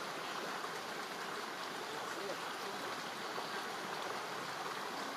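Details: Continuous babbling stream noise fills the recording, with no animal voices.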